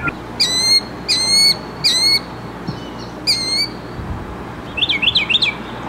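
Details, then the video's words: Mockingbird giving loud harsh, buzzy repeated phrases about three-quarters of a second apart, then a quick burst of twisting whistled notes near the end. "Mockingbird in Concert!"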